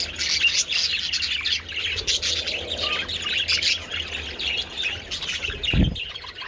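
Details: A group of budgies outdoors in sunshine with treats on 27 February, chirping and warbling busily in overlapping high notes, with a brief low thump near the end and faint hum.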